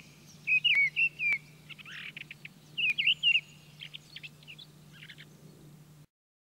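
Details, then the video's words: Singing mistle thrush filmed in France: two short bursts of clear fluted whistles, four or five notes each, with softer scratchy notes and faint chatter between and after them; low steady hum in the background. "Grive draine - Mistle Trush - Misteldrossel ( Turdus viscivorus )"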